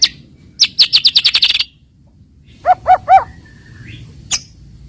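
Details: White-rumped shama lure song for provoking rival birds to sing: a fast burst of high ticking notes, then three lower, hollow whistled notes in a row, a short rising whistle and a final sharp chip.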